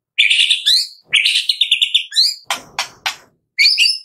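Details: Medan white-rumped shama producing high, harsh, buzzy phrases with rapid chattering notes, then several loud dry clicks and a final high buzzy burst.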